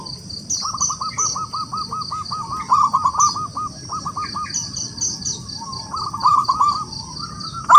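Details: Local wild zebra dove calling rivals to sing, delivering a long, evenly spaced string of hooked cooing notes, a brief pause, then more coos. Constant high-pitched whine and chirps in the background; a sharp knock at the end.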